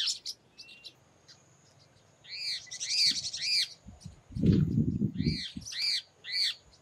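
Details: One of a Wing-banded Hornero pair in the Bahia sertão, Paramirim, frightened by nearby parakeets, gives sharp, arched chirps in quick runs of three, repeated twice, with scratchy notes before and low wind thumping between.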